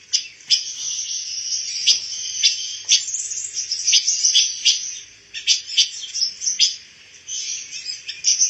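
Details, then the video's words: A pancawarna bird, an untrained songbird of a type now becoming rare, sings a fast, continuous stream of high, thin twittering notes broken by sharp clicks and chips, with no other sound. "SUARA BURUNG PANCAWARNA"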